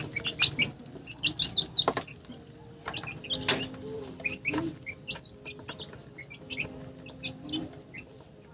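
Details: Chickens with short, high chirping notes in scattered bursts, some quick clicking clucks, and a few lower tones underneath. Loud clusters come at the start and again around the middle.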